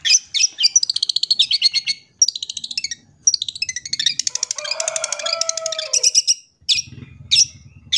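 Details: Long-tailed shrike song for tutoring young birds: fast mimicking trills and rattling chatter, a brief buzzy tonal passage in the middle, then scattered sharp notes.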